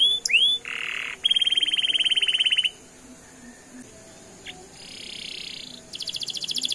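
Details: Canary singing long rolls meant to make other canaries respond: a few sweeping whistles, then a fast buzzy high trill, a pause with faint notes, and another rapid trill starting near the end.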